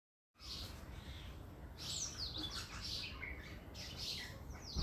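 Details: A pair of tailorbirds inside a house, giving high chirps and squeaky, sliding notes, some rising and some falling, in loose bursts after a short silence at the start.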